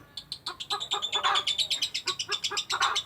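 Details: Lovebird ngekek chatter, long in duration: quick, squeaky, buzzy notes rattled off in an even, rapid stream, with a strident edge and no pauses.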